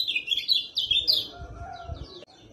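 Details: Lemon-bellied white-eye singing, played to lure a silent bird into song: bright, high chirping phrases in quick bursts, then softer descending notes, over low room noise and a faint lower tone.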